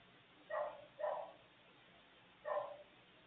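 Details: A scaly-headed parrot at its nest, on a nest livecam with a chick, gives three harsh, raspy squawks: two quick ones half a second apart, then a third after a pause, with a faint steady hiss behind.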